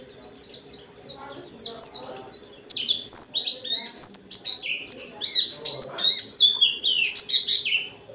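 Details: Energetic dakun white-eye in captivity, forest-style song packed with fill-ins, used to provoke other white-eyes; dense high chirps and whistled slurs tumbling in a continuous stream over a soft steady low hum.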